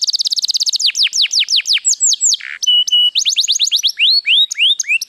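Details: Singing white canary: a rapid rolling trill gives way to repeated steeply falling whistled sweeps, flat sustained whistles and quick rising chirps in varied tours.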